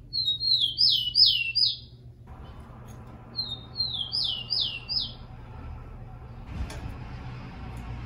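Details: Rufous-collared sparrow (tico-tico) song, played to train and warm up captive birds to sing: two phrases, each a few thin high whistles then three quick descending slurred notes, with a pause between and a low steady hum beneath.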